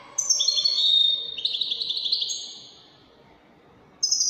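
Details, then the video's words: Widani-style song of a European goldfinch, Algeria: a rapid twittering run of high notes flowing into a long buzzy trill that fades away, then a fresh burst of twitters starting at the end. "تغريد طائر الحسون الويداني chant de chardonnere"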